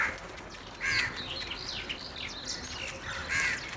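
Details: Crows gathering together and squabbling over food: two loud, harsh caws with banded tones near one second and again at the end, over a busy background of thin chirps and twittering from other birds.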